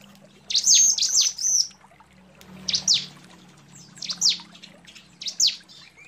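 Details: Female bar-winged prinia calling to the male, giving high, thin downslurred notes, first a run of three, then single or paired notes spaced about a second apart, over a low steady hum.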